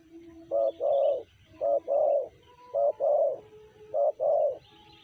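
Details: Spotted dove (tekukur), called a BL bird with a 'sanji' voice, giving four mellow low two-part coos about once a second, each a short clipped note then a longer, fuller one, over soft background hum.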